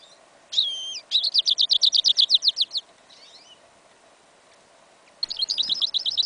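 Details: Outdoor winter recording, 11 January 2015, of a goldfinch and yellow Isabella canary hybrid with an incomplete song. A sharp falling whistle opens a rapid, regular trill of high notes; after a pause of about two seconds, another fast trill begins.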